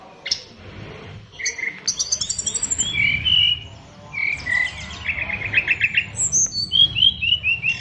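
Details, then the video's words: Fighter-type oriental magpie-robin kept in a cage sings a richly filled song: sharp high chips, rapid trilled series, and whistled slurs. Varied phrases follow one another quickly over a low background hum. "SRDC Fighter isian luber"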